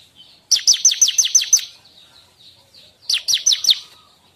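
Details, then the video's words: Song of the bar-winged prinia, used to lure wild birds and to train cage songbirds: a run of about seven sharp, high, downslurred chirps, a short quiet gap, then a second burst of four. "suara ciblek, untuk pancingan burung bahan dan cocok untuk pikat serta untuk masteran burung kicau."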